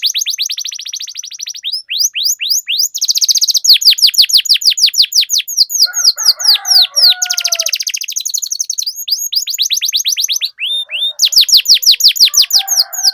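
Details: Canary song with long rolls: buzzy high trills alternate with long chains of quick falling whistles, several fast rolls in a row, and a harsher low chattering voice briefly mixed in midway and near the end.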